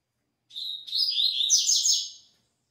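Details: Double-collared seedeater in the "tui tui" song style, delivering one loud continuous phrase of high, sharp whistled notes that runs into a rapid buzzy rolling trill, nearly two seconds long, with a clean quiet background.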